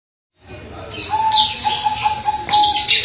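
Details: Grey-headed canary-flycatcher (Culicicapa ceylonensis) song: quick, high, thin chirps and twittering notes, nearly three a second, over a steady low hum.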